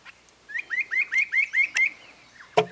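Spot-breasted parrotbill giving a quick run of about seven rising, upslurred whistled notes, roughly three per second, ending with a sharp knock.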